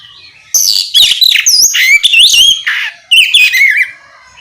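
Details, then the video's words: Oriental magpie-robin in full, rich song used to provoke other magpie-robins to answer: loud varied whistles, rising and falling slurs and harsh buzzy notes in dense bursts, with a brief pause near the middle. "Suara kicau kacer ngeplong memancing kacer apasaja ikut bunyi nyaut ngeplong gacor!"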